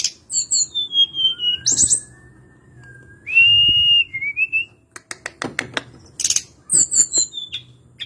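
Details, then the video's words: Hill blue flycatcher whistling a long, drawn-out clear note that slowly rises, with high slurred phrases before and after and scattered sharp clicks and chirps; a soft low hum runs underneath. "Kicauan harian Tledekan gunung"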